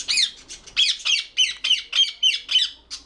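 A ringneck parrot chatters in harsh, high, scratchy syllables, about three a second, in a steady run of mimicked speech with nothing else heard.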